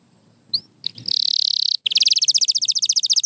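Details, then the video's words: Pure white canary: after a single upward whistle, a fast rattling trill of tiny repeated notes, a brief pause, then a second bright, rapid trill at a slightly different pitch. "Beautiful Chirping by a Pure White Canary"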